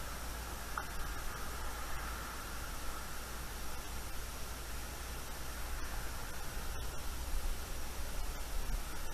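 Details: Steady broadband hiss over a constant low rumble at night, with a faint band of hum and a few brief clicks, and no animal voice heard.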